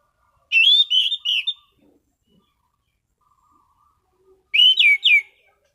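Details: Singing calmly yet steadily, a caged orange-sided thrush gives two short phrases of warbled, clear whistles about four seconds apart, with faint low murmurs in the pause.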